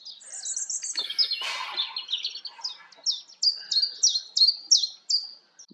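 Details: Common chiffchaff singing outdoors in nature: a steady series of sharp, high, down-slurred notes at about three per second, each alike. It is preceded by another bird's rapid, thin, high trill and a brief rustling burst near the start.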